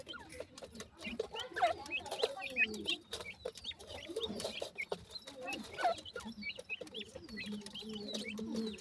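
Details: Grey francolin chicks, several together, keep up a dense chorus of high, short chirps and falling peeps, mixed with low clucking and frequent clicking and scratching sounds.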